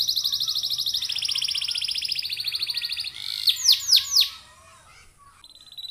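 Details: Canary prompting song: a rich, fast trill for three seconds, followed by three loud descending swept notes, a quieter stretch, and a short level whistle at the end.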